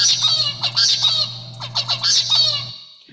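A zebra finch raised without a tutor sings a simple, slowish run of nasal, buzzy syllables, repeated twice over three seconds above a steady low hum.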